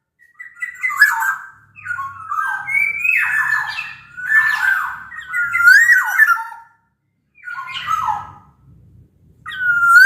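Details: Black-naped oriole from Sumbawa, a big-bodied bird, singing as a lure to set other orioles singing: a long sequence of liquid whistles and scratchy notes, a short pause, then more phrases and a rising whistle at the end.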